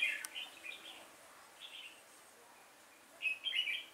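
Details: Red-whiskered bulbul used as a trap lure on 5 October 2018; a few brief chirpy warbles open the recording, then quiet, then a final bright burst of notes.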